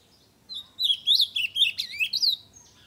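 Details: Ultramarine grosbeak in loud full song to stimulate other birds, delivering a quick sequence of bright, swooping whistles, roughly ten notes in under two seconds, ending with a thin fading note.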